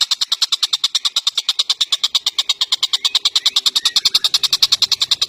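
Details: Tengkek buto or cucak jenggot, an Indonesian bird recorded for training songbirds: a loud, rapid, rasping series of ticking notes, about three per second, with a faint low hum near the end.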